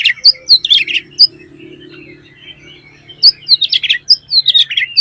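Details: Oriental magpie-robin giving clear, open 'pancingan' song meant to stir other magpie-robins into singing: two bursts of quick, high, varied whistles and chattering notes with a pause of about two seconds between them, over a faint low steady hum.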